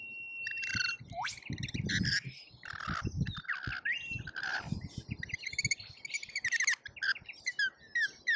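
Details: Feeder camera in Australia catches a lorikeet feeding frenzy: busy overlapping chirps, whistles and shrill screeches from several birds, with steady thumping and scuffling at the feeder.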